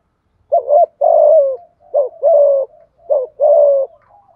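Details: Three repeated low coo phrases from a spotted dove, thúc gù in giọng thổ voice for exciting a decoy bird; each phrase pairs a short rolling note with a longer, gently descending hum.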